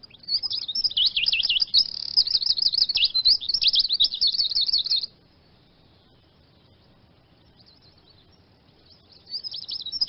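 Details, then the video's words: Eurasian siskin giving a fast, high twittering run of wheezy chirps for about five seconds, falling silent, then starting again near the end. "Iskete Finch Sound Effect"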